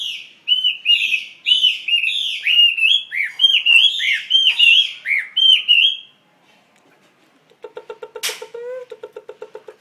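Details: Chinese hwamei in a cage delivering a fast, varied run of looping whistled notes for about six seconds, each note swooping up and down. After a short silence comes a rapid, buzzy, pulsed rattle.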